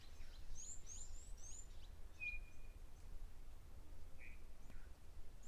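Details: At a live-streamed African safari waterhole on 21 June 2025, in winter, a Chinspot Batis gives one clear, level whistled note. This is the shortened winter call, just the first note of its usual three-note call. Thin chirps from other birds and a steady low rumble are also heard.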